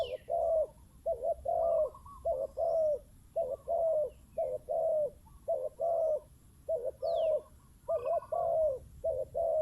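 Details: Spotted dove, a caged decoy bird set out to lure wild doves, with a deep-voiced wild bird approaching and a quicker voice cutting in. Low, mellow coos come in short bursts of two or three notes, steadily repeated with brief pauses, over faint high chirps.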